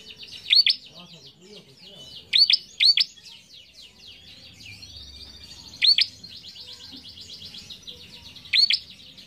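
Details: Prinia (prenjak) calls used as a lure to stimulate newly caught birds: loud, sharp, high notes, singly or in quick pairs every few seconds, over a steady chatter of thin chirps.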